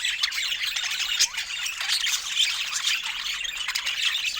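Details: Budgerigars during fruit time give a continuous, shrill twittering of scratchy squawks and brief chirps, many birds overlapping in a dense, unbroken chorus.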